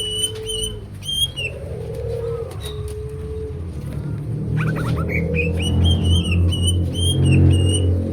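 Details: Greater green leafbird in full, energetic song with a varied repertoire: clear whistled notes and short bright phrases in bursts, some slurred and rising, over a strong low rumbling background hum with a faint steady lower tone.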